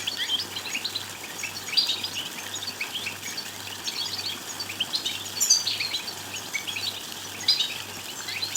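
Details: European goldfinch twittering intended to excite a male into song. Dense, scratchy high chirping with scattered brighter pips and short liquid trills runs throughout, backed by a faint pulsing low hum.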